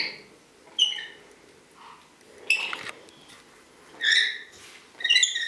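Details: Green-naped lorikeet indoors giving short, harsh, squeaky bursts with a few separate calls spread across several seconds, quiet gaps between them and a soft room background.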